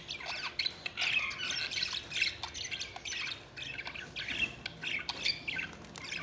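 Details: Budgies chattering continuously, a steady stream of short scratchy chirps and squawky notes repeated without pause throughout.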